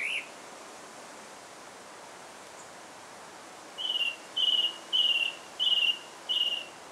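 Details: Song thrush singing in Alkmaar, Holland: after a quiet stretch, one short whistled note is repeated five times in quick succession, about twice a second, over faint background hiss.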